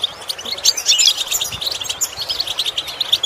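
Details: Goldfinch song used to teach a bird to imitate sounds: a lively, dense stream of high liquid twitters and buzzy chips, strongest in the first half and then thinning slightly.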